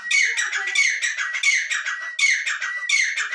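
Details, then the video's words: Harsh, scratchy francolin notes delivered nonstop and rapidly, each rasping phrase running into the next with a steady whistled tone underneath. "IRANI TEETAR ki awaaz/teetar voice/teetar ki awaz/dakni teetar ki awaz/Madi teetar voice"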